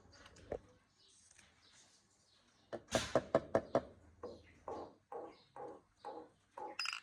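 A myna gives a run of harsh, chattering squawks and rapid clipped notes, roughly two or three each second, over a low indoor hum.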